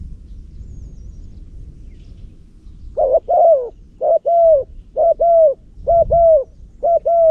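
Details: Spotted dove kept as a loud-voiced decoy bird for luring wild doves in Cambodia. Quiet low rumble at first, then from about three seconds six hollow, low paired coos, each two-note phrase repeated roughly once a second in a steady rhythm.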